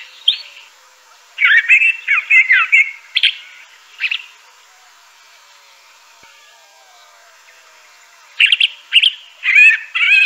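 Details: Crissal thrasher (Toxostoma crissale) gives a few scattered warbled notes and a short burst of phrases, then goes quiet for several seconds before a fresh flurry of varied chirpy syllables.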